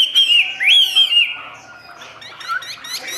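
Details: Captive Chinese hwamei from Vietnam delivering clear, rising and falling whistles, then a softer stretch of quick twittering notes that grows louder toward the end.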